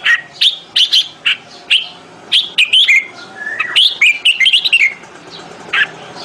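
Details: Bulbul mating call from 28 May 2021: a string of loud, bright chirps at quick, uneven spacing, then a sweeter warbled run of rising and falling whistles, closing on a single chirp.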